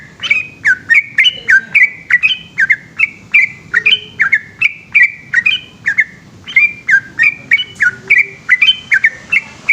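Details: A yellow-vented bulbul, called trucukan, sings loud, long 'ropel' phrases at night in Indonesia: crisp, bubbling whistles in a rapid, even series with a short break near six seconds.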